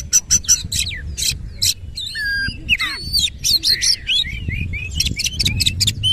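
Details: Varied song of a white-rumped shama: quick bursts of clicking notes, a drawn whistle dropping low, then looping fluty phrases and sweet rising whistles, steady low background rumble.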